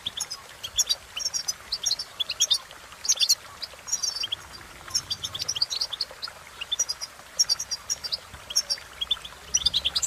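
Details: European goldfinch singing a quick jumble of high twittering and chirping notes in bursts, bright and tinkling, continuing across the recording with short breaks.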